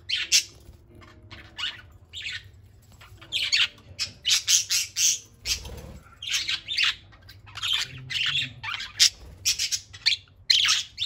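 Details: Indoor flock of eight free-flying pet parakeets at play, loud all day: a busy run of harsh, scratchy squawks and chirps, tightly packed bursts with one brief lull midway.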